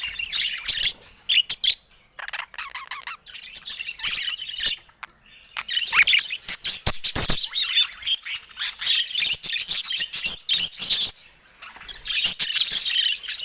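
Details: Several caged budgerigars attack a camera with long stretches of dense squawky chatter and chirps, broken by brief pauses and sharp clicks.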